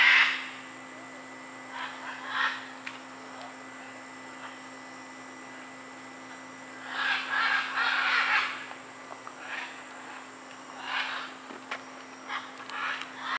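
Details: Wild scarlet macaws playing in trees at Tambor, Costa Rica, February 2011, giving raucous, grating squawks in clustered bursts, some run together into a rough chatter, separated by quieter gaps.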